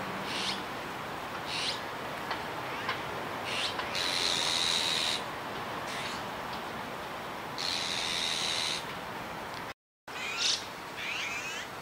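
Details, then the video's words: Juvenile azure-winged magpie, Kiba Park, 17 July 2019: scattered raspy hisses, some brief and some longer, interspersed with a few thin upward chirps, over a faint steady background hum. "オナガの若鳥 Azure-winged Magpie"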